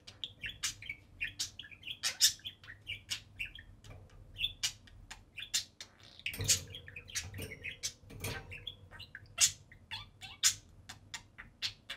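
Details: Two pet budgies playing and talking atop their cage at home, keeping up a steady stream of busy warbling, ticking clicks and chirps with hardly a pause, plus occasional soft thumps.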